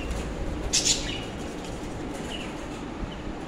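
A budgerigar gives a brief, harsh squawk followed by a couple of faint, high chirps.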